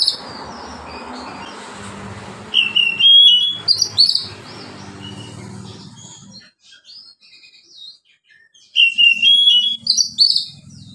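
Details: Oriental magpie-robin giving a relaxed song to coax reluctant magpie-robins to sing; loud bursts of whistled and warbled notes with rising slurs, a quieter stretch of scattered soft notes, then another bright phrase.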